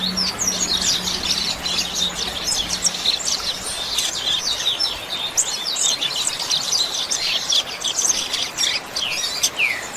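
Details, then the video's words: Rusty-collared seedeater singing the "chuva" song style, recorded for training captive birds: rapid high twittering of short chirps and sliding notes, continuous over a steady background hiss, with a low hum in the first seconds. "COLEIRO CANTO CHUVA"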